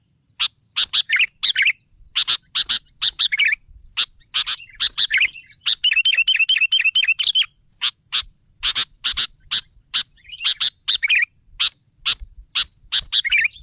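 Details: Sooty-headed bulbul singing energetically amid rapid sharp clicks, with short warbled phrases and a fast rippling trill of repeated notes in the middle of the passage.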